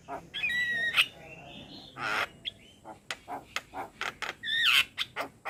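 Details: Male Javan myna singing a varied song meant to teach a young bird: clear bending whistles and a harsh burst, then spaced dry clicks and a final downslurred whistle.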